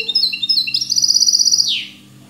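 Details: Song of a hybrid river goldfinch, sung without faults: a few high chirps and short whistles lead into a rapid run of about ten bright, evenly spaced pips, finishing with a downward-sweeping buzzy note.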